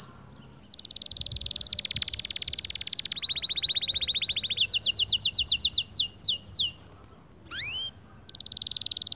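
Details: A white male canary sings to encourage other birds, starting with long rapid rolling trills, then a run of clear descending whistled notes, a few upslurred calls and another fast trill.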